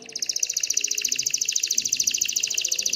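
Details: Excited canary singing to stimulate females to mate and build a nest: a rapid, steady buzzy trill of high notes repeated about three times a second, continuing throughout.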